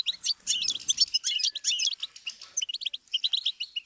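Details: Tape of goldfinch song for songbirds to learn from: a rapid jumble of high chirps and buzzy notes easing into spaced, tinkling twitters.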